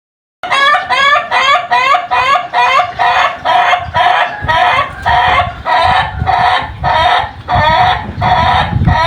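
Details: Chicken giving a long crow, a steady series of rapid harmonic cackling syllables repeated about twice a second for nearly nine seconds, rich and nasal, like rhythmic laughter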